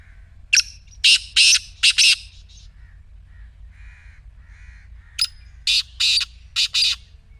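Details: Black francolin call played to get a silent partridge calling: two loud phrases of harsh, grating, buzzy notes, each of four or five rapid rasping bursts, with a short quiet pause between the phrases and faint soft calls in the gap.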